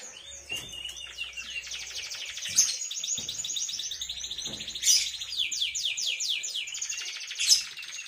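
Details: Young caged canary about three months old singing a long rolling song: continuous, fast high trills and repeated sweeping notes throughout, with a few sharp clicks and low background hum.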